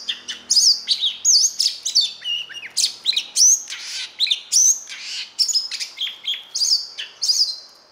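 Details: Oriental magpie-robin fighting song, played to train and stimulate birds: loud, varied phrases of sharp whistles, slurred upward and downward notes and harsh bursts, following one another every half second or so without a break, over a faint low hum.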